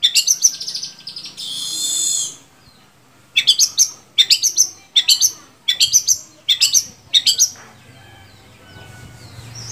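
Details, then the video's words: Long-tailed shrike song used to rouse captive shrikes into song: a short chattering start and a harsh buzzy note, then six evenly spaced bursts of sharp high chips, ending quietly. "SUARA BURUNG‼️Cendet mana aja yang gak mau gacor bila seperti ini"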